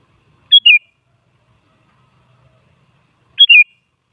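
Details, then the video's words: Sooty-headed bulbul lure song, used to provoke other bulbuls into singing: two short, clear whistled phrases, each a bright note sliding down, about three seconds apart with silence between. "Suara Burung Kutilang Pancingan Agar Bunyi Jadikan Kutilang Nyaut Emosi"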